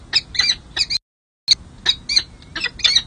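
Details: Peregrine falcon at a nest on San Jose City Hall, California, on 2 May 2024, during the second chick's hatching and the first feeding, as the male meets two chicks. Harsh, scratchy, stacked notes come in quick bursts with a brief gap.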